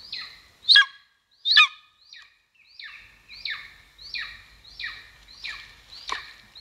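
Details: Golden eagle heard at its Estonian nest in 2022 on a live camera: two strident, rasping calls, then a steady chain of thinner descending squeals, with one more sharp call near the end.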